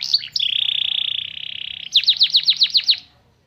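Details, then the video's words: Canary song carrying white-eye (pleci) material: a few sharp opening notes, a long flat buzzy tone of over a second, then about eight loud downslurred chirps in quick succession before stopping. "Burung kenari bocor materi pleci untuk menaikan emosi"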